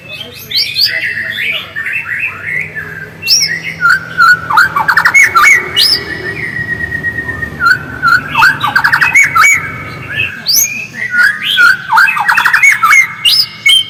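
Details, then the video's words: White-rumped shama in its original voice, singing as a lure so other shamas sing actively: repeated bouts of rich whistles, sliding notes and fast chattering trills with brief pauses between phrases. "PANCINGAN MURAI AGAR GACOR DENGAN SUARA ASLI"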